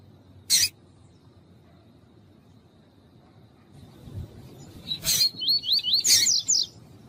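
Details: Rusty-collared seedeater singing with a female's calls heard too: after a single sharp click and a quiet stretch, a fast string of wavy, looping whistled notes rises near the end, with another sharp click among them.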